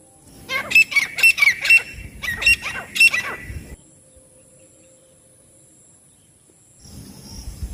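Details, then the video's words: Partridge voice: two tight bursts of sharp, ringing repeated notes, about five in quick succession, then near silence before faint background noise returns. "तीतर ना आने वाला बेस्ट आवाज। The best sound of the partridge not coming | partridge voice"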